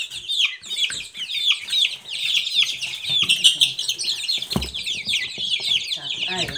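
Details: Loud, insistent peeping by a group of Silkie chicks, a thick wall of thin chirps with a brief knock midway.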